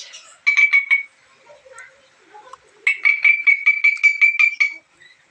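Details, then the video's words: Black-capped lory with a strange call: a short burst of sharp ringing notes, a pause with soft murmurs, then a longer rapid run of the same metallic notes. "suara aneh Nuri kepala Hitam"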